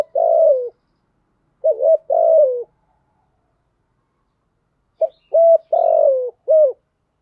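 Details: Decoy cooing of a spotted dove, thổ thúc style, meant to bring wild doves in quickly: a falling hollow coo, a pair of short dipping coos, then a four-note phrase of clipped, drawn and falling coos after a pause.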